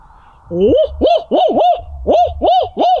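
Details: A roosting Merriam's wild turkey in Colorado, at 8:26 pm under a full moon, gobbles in response to hooting: a loud run of about six quick, gargling, arched notes in under three seconds, against a quiet evening background.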